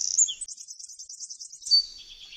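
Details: Eurasian wren, recorded on a Zoom H6, giving a shrill high-pitched stretch of song: a sharp whistled opening, a rapid run of pulsed trilled notes, then a loud descending slur fading into softer twitters, against silence.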